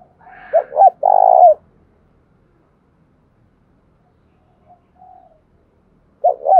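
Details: Tame decoy spotted dove cooing to call: two short rising-falling hoots followed by a longer, rough sustained coo that dips at its end. The phrase begins again near the end after a quiet gap.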